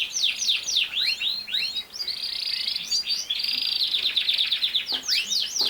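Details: Canary singing loudly and without pause: quick series of sharply falling whistles, a long steady buzzing trill in the middle, then more rapid down-slurred notes and rolls toward the end.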